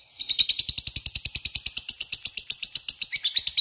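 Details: Lovebird ngekek, a lure to call a rival: a steady, rapid chattering trill of high, rasping notes with a clicking pulse, running the whole clip.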